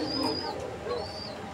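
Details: Domestic pigeons at a loft in Kashimpur, Konabari, Gazipur, Bangladesh, on 19/07/2025 coo in low, soft, throaty notes under a thin, drawn-out high whistle. Koka pigeons there are calling a lot, and a male is noted calling.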